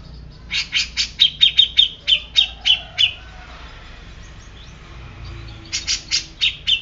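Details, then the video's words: Agitated Grey-cheeked bulbul delivering a steady run of about ten harsh notes with ringing whistled accents, a pause, then another shorter burst of five similar notes. "Cucak Jenggot Bisu Langsung Emosi"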